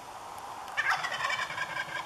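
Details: A very vocal young male (jake) wild turkey gobbles on a morning in New Brunswick, Canada: a loud, rapid, rattling burst rolling on for over a second over a quiet background.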